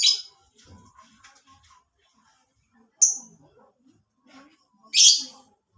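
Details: Lovebird sounds used to train and prompt caged birds: three loud, harsh, high bursts of chatter at the start, middle and end, separated by near silence with faint low clicks and rustling.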